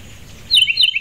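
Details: Ruby-throated hummingbirds, mostly immatures, on fall migration at backyard feeders in Starkville, Mississippi, in mid-September 2012. After half a second of quiet, two or three loud, high, slurred chirps follow one another quickly.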